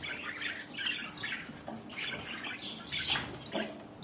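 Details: Mating budgerigars chattering continuously in scratchy squeaks and short warbled notes, with a few sharper high chips over a steady noisy background.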